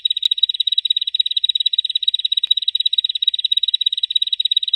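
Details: Bar-winged prinia singing in the ngebren style, used to train cage birds: a continuous, very rapid high-pitched buzzy trill of evenly repeated notes, about twelve per second, holding steady throughout without pause.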